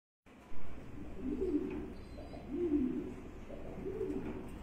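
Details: Magpie pigeon giving low cooing calls, three soft hoarse phrases spaced about every one and a half seconds, with a steady low hum in the background.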